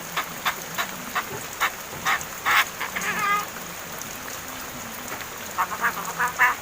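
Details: Hand-raised mynas over seven months old, learning to talk; scattered harsh squawks, a mid-clip run of nasal, buzzy warbling, then a closing flurry of quick rasping notes, all over continuous hiss.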